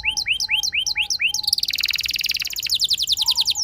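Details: Canary prompting song: evenly spaced curved whistled notes, then a rapid high rattling trill rolling on continuously for seconds.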